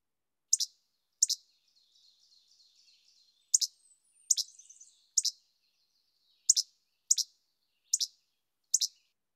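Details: Least Flycatcher giving its sharp, snappy two-part che-bek call, repeated many times roughly every half second to second, with faint soft chatter between phrases.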